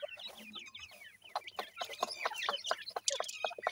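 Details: Grey francolin (dakhni teetar) chicks feeding: closely spaced, high, falling peeps and a run of louder, sharper chirps, plus clicking noises.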